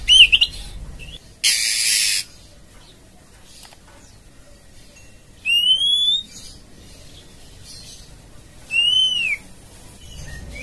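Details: A female Oriental magpie-robin in breeding condition calls to the male with clear arched whistles every three seconds and one harsh raspy burst, over a quiet background.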